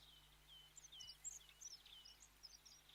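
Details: Dunnock (Prunella modularis) giving faint, thin, high-pitched tseep notes and short chirpy twitters scattered across a few seconds, over a steady low hum.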